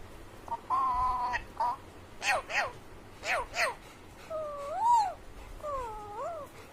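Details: Pet Alexandrine parakeet imitating animal sounds: a steady nasal tone, sharp downward-swept squawks, then wavering rising-and-falling meow-like whistled calls in a quiet room.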